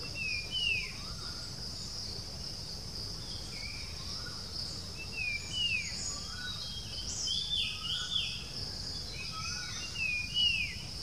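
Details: Persistent whistling call of a puff-throated babbler (spotted babbler) near Bangalore, India, recorded 07-06-2020 with a Nikon Coolpix B700: clear downslurred whistles repeated in pairs roughly every two seconds, with lower softer notes, over a continuous shrill insect drone.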